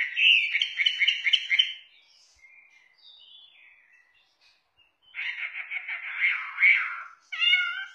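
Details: Chinese hwamei singing: a fast, rattling run of buzzy whistled notes, a quiet pause with soft fragments, then a churring trill and a clear, ringing phrase at the end.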